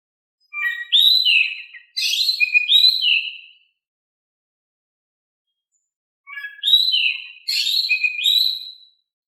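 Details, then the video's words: Oriental magpie-robin in lively, calm-toned song, used to provoke reluctant birds into answering; two bursts of clear whistled phrases, each with rising and falling slurred notes and sharp high accents, separated by about three seconds of silence. "Kicau Kacer Gacor Suara Kalem cocok untuk bikin Nyaut Kacer Malas Bunyi"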